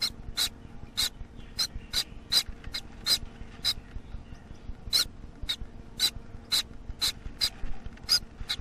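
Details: Captive Gouldian finch chick about one week old, still fed by its parents: short, harsh, raspy begging calls about twice a second in an uneven run, over a low steady hum.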